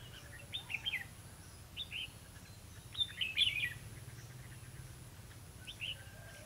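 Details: Red-whiskered bulbul song during trapping on 11 November 2016: scattered bright, twisting whistled phrases separated by short pauses, with a light low rumble in the background.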